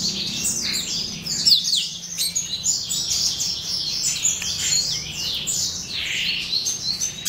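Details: A brood of Yellow-rumped Seedeater chicks, race somereni, chirps almost nonstop in high, thin squeaks. Quick downslurred notes tumble over one another in an even, busy twitter, and a low steady background hum sits beneath.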